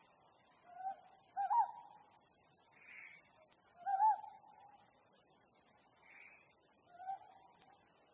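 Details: Ryukyu scops owl at night by the harvest moon, three distinct low, slightly wavering hoots spaced about three seconds apart, each with a brief upward flick, over a continuous shrill insect-like background hiss.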